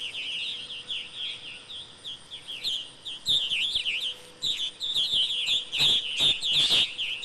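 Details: Purple martins chirping, a stream of rapid gurgling, up-and-down warbled notes from more than one bird, growing louder and busier toward the end, with a faint steady hum and a few soft knocks.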